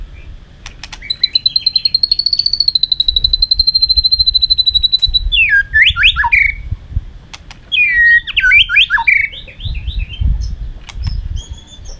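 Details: White-rumped shama fighting song for training birds: a long, high, steady pulsing trill held for about four seconds, then two bursts of jumbled fast whistles and downward slurs.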